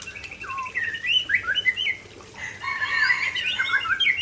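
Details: White-rumped shama from Aceh singing a varied run of whistled and chirping phrases, quick rising and falling notes between mid and high pitch, with a short pause near the middle before a dense burst of warbling.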